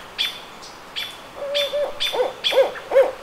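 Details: Barred owl at Squamish River Estuary, May 17, 2014: a quick run of low, arched hoots, about three in the last second, over a drawn-out note, with thin high whistles faintly above.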